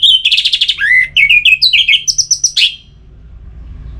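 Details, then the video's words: Orange-headed thrush (anis merah) from Singaraja, northern Bali, singing to stimulate other birds. A fast, rich phrase of about fifteen trilled and whistled notes that rise and fall, ending in a rough burst, then quiet with a low hum. "Suara Ini Bisa Membangkitkan Burung ANIS MERAH agar Jadi Gacor"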